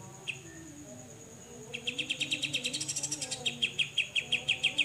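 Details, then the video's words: Cucak jenggot, the grey-cheeked bulbul, in besetan style used to train other songbirds: after a quiet start, a fast string of sharp, ringing, repeated notes speeding up, then slowing into evenly spaced chips, over a faint constant high tone. "BESETAN CUCAK JENGGOT"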